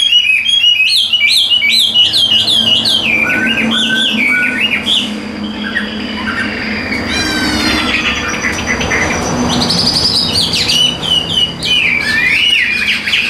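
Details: Tame caged Chinese hwamei, sold by a Vietnamese dealer, singing gently while its cage is hand-carried: a long, varied run of loud, bending whistles and warbled phrases, with a few harsher rasping notes in the middle and a low indoor hum beneath.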